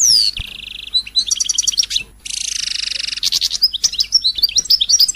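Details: Royal goldfinch singing to provoke song in other birds: a descending whistle and a flat buzzy note, clipped chirps, then a long harsh buzzing trill, followed by varied quick twitters and short slurred whistles.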